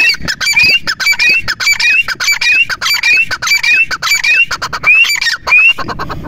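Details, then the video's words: A partridge (teetar) gives loud, harsh, rising calls, repeated almost twice a second in a steady run, with a faint rustle behind. "partridge bird sounds"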